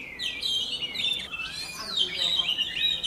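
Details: White-rumped shama female singing to spur caged males; continuous, fairly soft stream of looping whistled warbles with gliding notes over steady low background noise.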